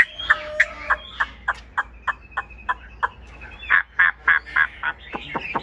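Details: Chinese hwamei in a cage, giving a steady series of short, loud, slightly harsh notes roughly three per second, growing stronger toward the end.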